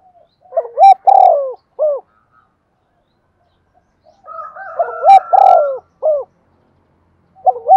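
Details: Spotted dove hen as a lure for cooing birds: two low three-part coo phrases several seconds apart, a rooster's crow under the second, and a new phrase starting at the end.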